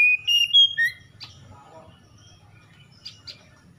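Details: Morning-dew song of an oriental magpie-robin at dawn: about a second of loud, quick whistled notes with slides, then only faint chips, soft murmurs and low hum.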